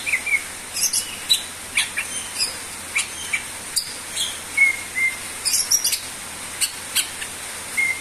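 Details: Greater green leafbird in active gacor song, used to prompt other birds to sing: sharp high chips at irregular intervals, mixed with a few short clear whistles over a faint hiss.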